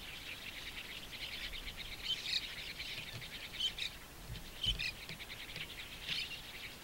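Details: Begging White-cheeked Starling fledglings being fed caterpillars by parents at a shallow waterhole in Japan, early June 2015; harsh buzzy chatter swelling into several louder squealing bursts, spaced irregularly a second or two apart.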